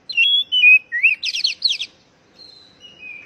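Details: Oriental magpie-robin phrase meant to coax a stressed, silent bird to sing: falling whistles and an upward slur, a quick burst of buzzy repeated notes, then fainter thin whistles trailing off.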